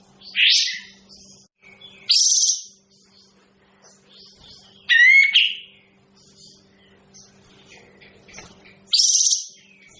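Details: Kapas tembak bird uttering loud grating high-pitched bursts every two to three seconds, including one whistled phrase with descending tones, over a faint low electrical hum.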